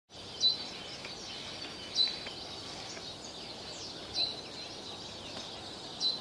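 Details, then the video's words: A bird gives short, high chirps, one about every two seconds, over a constant hissing background of distant birds or insects. "bird song"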